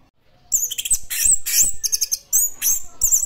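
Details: Classic-style song of an orange-headed thrush: lively run of very high, thin whistles and twittering phrases delivered in quick bursts with short gaps, varied and energetic.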